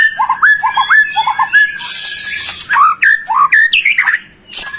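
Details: Singing white-rumped shama, a lure to get other shamas singing: short paired whistled notes, a burst of harsh hissing noise, then rising and falling slurred whistles.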